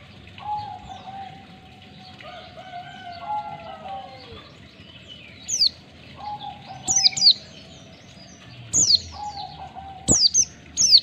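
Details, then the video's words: Oriental white-eye (pleci) ngalas, one or two beats, for training caged birds: scattered paired high falling chirps in the second half, after a quieter stretch of low drawn-out tonal notes. "Masteran pleci bahan biar cepat ngalas pleci ngalas 1 2 ketukan"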